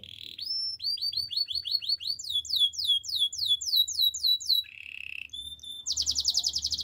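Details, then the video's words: Gloster canary singing for training canaries; a series of repeated downslurred whistled notes in rolling tours, a short buzzy phrase, then a rapid high trill, with faint low hum behind. "Gloster canary singing - Makes your canary will sing every morning"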